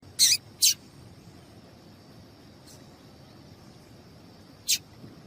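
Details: Female double-collared seedeater call, used to stimulate the male into singing: two quick harsh, high chips close together, then a third after a long pause, over a steady faint hiss.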